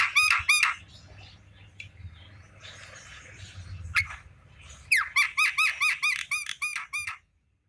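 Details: An afternoon Javan myna gives a few harsh notes, a quieter scratchy stretch, then a string of about ten loud, evenly repeated nasal notes; steady low hum in the background.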